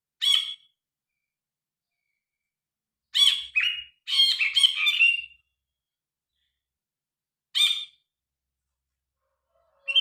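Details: Grey-cheeked bulbul singing, recorded by phone with original sound: scattered short harsh chirps separated by silences, with a cluster of rapid scratchy notes in the middle.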